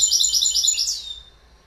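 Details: Goldfinch giving a short, fast tinkling trill of bright, high notes that ends in a single drawn-out, falling slurred whistle, with otherwise quiet surroundings.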